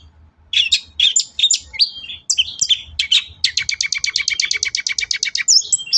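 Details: Long-tailed shrike singing in a lure recording from Indonesia: scratchy warbled notes at first, then a long, steady rattle of rapid double-pitched chips lasting over two seconds.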